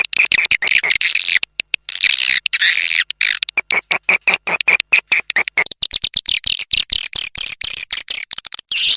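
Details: Swiftlets in the rainy season giving dense, shrill twittering with wavering buzzy notes, broken by rapid clicks. The chatter grows brighter and more continuous toward the end.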